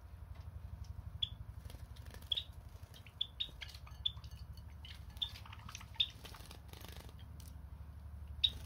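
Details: Pet Java sparrow indoors: short, sharp, high chips at irregular intervals of roughly one second, about nine in total, over a steady low rhythmic hum and faint background clicks.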